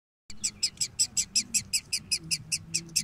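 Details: Woodpecker chicks in a nest box, calling in a fast steady series of harsh, raspy bursts, about five per second, with a low hum beneath.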